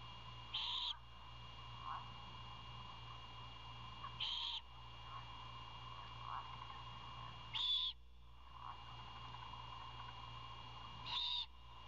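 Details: Owlet begging its father for dinner before he arrives with food; four harsh, hissy screeches, each under half a second, repeat about every three and a half seconds over a constant low hum.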